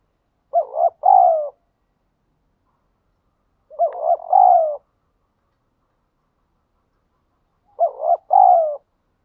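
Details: Spotted dove cooing in nature in the 'thúc gù' manner, three mellow phrases roughly every three and a half seconds, each a stuttered pair of notes followed by a drawn-out, downward-sliding coo, with quiet gaps between.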